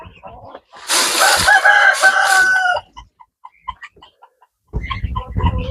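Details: A rooster among grain-fed hens in a garden on 27 April 2025 gives one harsh, drawn-out crow of about two seconds, followed by scattered soft clucks, rustling and voices.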